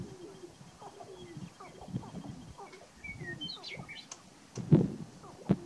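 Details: Several male sharp-tailed grouse on their lek in Burwell, Nebraska, in late March, giving low cooing and clucking notes, short upward-swept whistles and squeaks, then two loud thumping bursts near the end.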